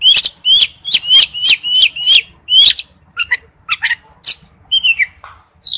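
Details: Male oriental magpie-robin calling to a female: a run of about eight sharp, repeated upswept notes, then scattered whistles and chirps with short gaps.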